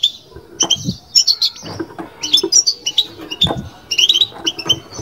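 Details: European goldfinch, a kept bird, in batbata song: separated bursts of bright twittering and nasal buzzy notes, with several low knocks between phrases.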